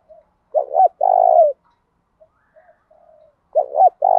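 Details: Spotted dove cooing in the 'thổ đồng' (field) voice style, used to stimulate males to answer and fight: low, hoarse coo phrases with a quick double note then a long drawn coo, phrase repeating after about three seconds.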